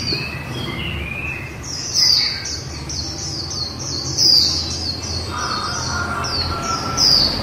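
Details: Long líu sequence from a female white-eye: a dense run of high descending whistled notes with a few softer, lower trills underneath.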